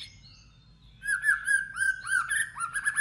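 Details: White-rumped shama in competitive song: after a faint start, a fast string of clear whistled notes repeated about eight times a second at a steady pitch, dipping briefly near the end.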